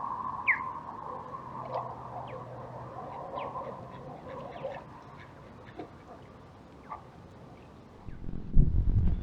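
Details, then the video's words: Osprey in Japan in January, giving faint, thin whistled chirps, a few upslurred, then a brief low splash as it dives to hunt, over steady traffic hum. "ミサゴ 鳴き声とダイブ音"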